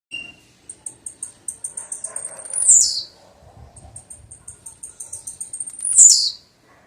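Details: Blue-black grassquit: a run of rapid high ticking notes, then a loud buzzy downslurred sweep, with the whole phrase given twice about three seconds apart; faint low murmurs behind.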